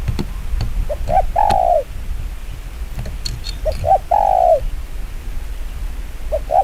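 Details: Fast 'chiêu gù kích bổi' cooing from a spotted dove: phrases of two brief soft notes followed by a long mellow downslurred coo, repeated roughly every three seconds, with scattered clicks and low hum.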